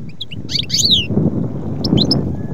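European goldfinch giving quick, tinkling twitters and liquid chirps in two brief bursts, over a steady low background rumble.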